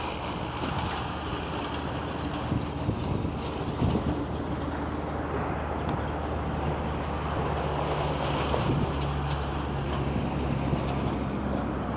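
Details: Steady low engine-like rumble with wind noise throughout; no clear animal calls stand out.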